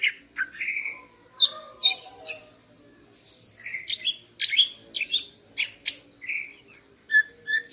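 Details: Female greater green leafbird in the morning, singing to raise a male's mating urge; a jumble of sliding whistles, sharp chips and short trills, with some notes doubled, delivered briskly.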